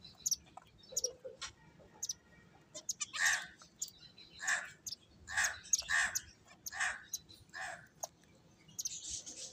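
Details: Playing finches repeat a short, nasal call about twice a second in a steady run, with thin high tweets before and after it.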